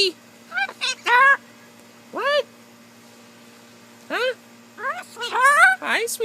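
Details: Pet blue-and-gold macaw, female, riding on a person's shoulder, talking and jabbering in short upward-sweeping squeaks and chatter in scattered bursts, with a woman's voice speaking between them.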